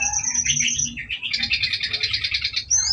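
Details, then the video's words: Brown-chested jungle flycatcher song played as a lure to provoke fighting. A brief jumble of whistles gives way to an even rapid trill of repeated notes, over a low background rumble. "Suara Pancingan SRDC gacor Nretet Ngeplong Nembak isian membuat srdc bahan Emosi Fighter"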